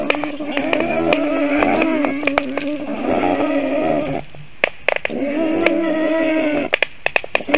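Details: Black stork nestlings on a Latvian nest in Sigulda municipality, afternoon of 1 August 2021, calling defensively while a goshawk sits in the nest tree: sustained buzzy droning, a brief pause midway, and repeated sharp clicking knocks.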